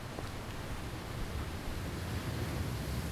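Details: Low rumbling wind and distant surf in Byron Bay, Australia, a dull broadband wash with no birds or other animals calling.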